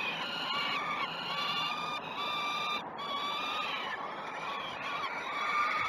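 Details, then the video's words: Peregrine falcon young at the Great Spirit Bluff nest during the first two feeds of 12 June 2018, recorded by a live cam. Overlapping, strained, harmonic wails rise and fall in pitch, with one short gap near the middle. "First two feeds for Great Spirit Bluff Falcons."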